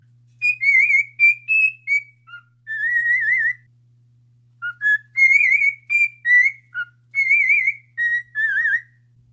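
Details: A pet bird kept indoors sings a whistled song that a viewer says their own cockatiel also sings. Bright, warbling whistles come in two long phrases of rising and falling notes over a faint steady low hum.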